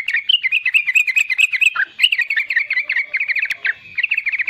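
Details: Riwikan-style song of a young, actively singing sooty-headed bulbul, used to draw out and train other young bulbuls: an unbroken stream of quick, twisting, chattering notes, several each second, with no other clear sounds.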